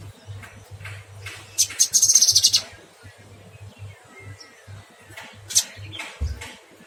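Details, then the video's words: Cucak kinoy singing actively, its song given in long phrases: thin, very high sharp chirps, with a dense rapid trill of bright notes near the two-second mark, then scattered high notes, over a steady low electrical hum. "Burung cucak kinoy gacor"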